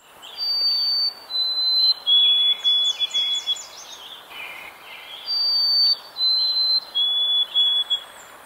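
White-throated Sparrow sings twice: clear, pure whistles, a long opening note then a lower series of quick stuttering repeated notes. Other small birds chip and chirp behind.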